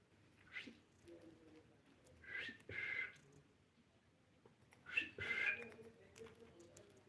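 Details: Blue budgie producing three separate bursts of harsh, scratchy squawks with thin whistled edges, spaced a couple of seconds apart, with soft low murmuring between them.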